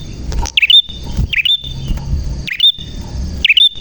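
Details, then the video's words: Prinia in full, clear song: four bright chirps, each swooping down and flicking up, spaced about a second apart, with a faint low background murmur. "Burung Prenjak Gacor Suara JERNIH"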